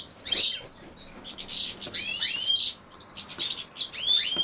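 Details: European goldfinch with common sowthistle, singing high tinkling twittered phrases with liquid rising and falling slurs and short buzzy notes, in bursts separated by brief pauses.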